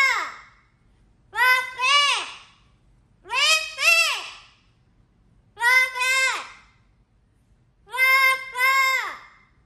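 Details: Pet Amazon parrot crying for its owner, whom it calls papá, while quarrelling over his affection: five loud, harsh, harmonic two-part wails, each rising then falling, about every two seconds with quiet gaps between.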